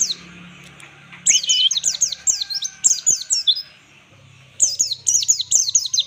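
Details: White-eye (pleci) song in ngalas style, used as master recording for training: two long runs of quick high downslurred chips separated by a short quiet gap, over a faint low hum.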